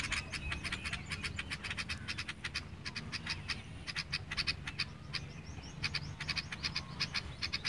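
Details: Dense, continuous sparrow chirping: rapid bright chips repeated almost without pause, possibly from more than one bird, over a constant low background rumble.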